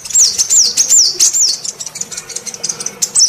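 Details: Lure call of a female sunbird: a run of five or six high, wavering whistled loops delivered in quick succession, followed by softer, thinner chirps that fade toward the end.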